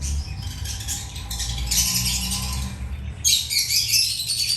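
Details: Birds chirping as they feed, a steady stream of rapid, overlapping high twitters, growing louder and sharper near the end, with low background rumble.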